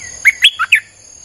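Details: Streak-eared bulbul song used as a lure for wild birds: four bright, bubbly notes in a fast run, evenly spaced, against a faint constant high whine and a low hum.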